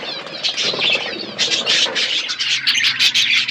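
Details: Budgies at their food chatter continuously, a thick layer of high warbled chirps rising into sharper, pulsing bursts of squeaky notes in the second half.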